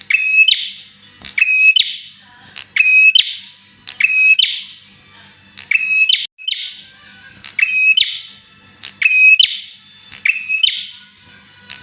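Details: A bar-winged prinia, recorded as a tutor or lure for caged birds, repeats loud clicking, whistled and buzzing phrases at an even pace, about every one and a half seconds, with faint low hum beneath.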